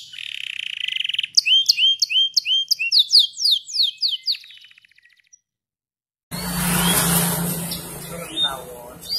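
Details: Canary in rolling song: a buzzy trill leads into rhythmic rising-and-falling whistled notes, fading out in a quick rattle; after a short silence, loud broadband background noise takes over.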